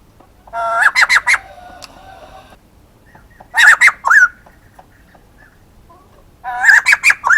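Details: White-crested laughingthrush, a male, calling in three loud chattering bursts of quick cackling notes about three seconds apart, with a faint steady tone behind the first burst and otherwise quiet surroundings.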